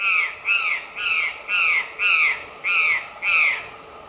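A female White-lined Tanager gives harsh, nasal, down-arched notes, about seven in four seconds, each roughly a third of a second long, against a quiet background.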